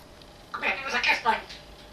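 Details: African grey parrot with an English accent, kept as a pet indoors, imitating its owner's speech: a short burst of rough, speech-like syllables with a nasal, meow-like quality, rising and falling over about a second.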